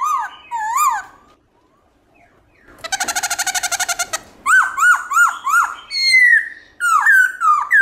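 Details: Morning song of a Black-throated laughingthrush, forest voice with voice changes. Looping whistles are followed by a pause, then a fast rattling burst of rapid clicks, then a run of rising, dipping whistled notes.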